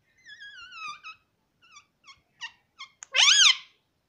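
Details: Pet green parrot talking indoors: a few squeaky, wavering syllables in a slurred, speech-like phrase, then short clipped notes and a loud rising screech to finish.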